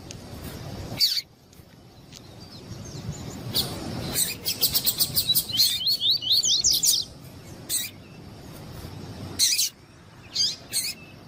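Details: Female double-collared seedeater calling a lot, used to excite a male bird before song tournaments; a rapid series of thin, high chirps sliding upward, mixed with sharp broadband clicks and a faint low rumble.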